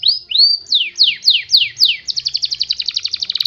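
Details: Canary lure song for teaching canaries to imitate. Two rising whistles are followed by five loud downward-swooping slurs. The song then breaks into a fast rattling trill of about eight notes per second.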